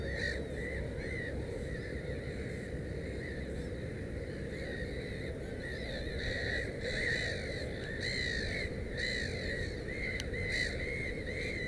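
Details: Black-headed gull calling at a nest holding three chicks, giving scratchy, slightly arched cries in loose irregular series, louder toward the end, over constant low-pitched background noise.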